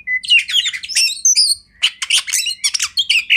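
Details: Oriental magpie-robin master song for kacer training; a thin whistle leads into dense scratchy chattering, a brief pause, then fast rattling bursts and a sustained buzzy note.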